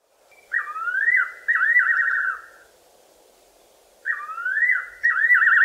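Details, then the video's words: At night in the southern Karoo, a fiery-necked nightjar calls loudly from a tree: two liquid whistled phrases, each a sliding note running into a quavering, tremulous trill, over a soft steady hum. "FIERY-NECKED NIGHTJAR calling"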